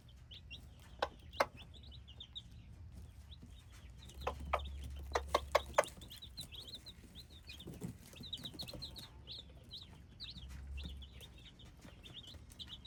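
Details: Hybrid chicks peeping constantly, a chorus of short, high, downslurred cheeps overlapping throughout, with sharp taps or knocks and a low hum underneath.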